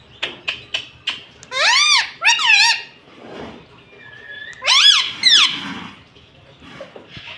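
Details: Talking green ringneck parrot at home, taught words such as Mummy and Papa; quick ticks, then two loud arched squeaky syllables, a soft pause and another pair of bright rising-falling notes.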